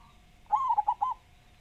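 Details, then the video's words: Local zebra dove of Java in song, used to lure other birds: one mellow phrase of a stretched coo followed by three bubbling short notes, over a steady hum. "Perkutut Lokal Gacor Suara Besar"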